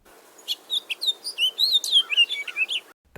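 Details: House Finch singing in an Arizona desert backyard in spring: a quick, jumbled run of bright warbled and slurred notes, about two and a half seconds long, with nothing else heard.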